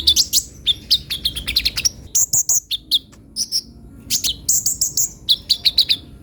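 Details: Purple-throated sunbird in energetic song: bursts of quick, high, twittering chirps and short trills, broken by brief pauses and then resumed in fast clusters.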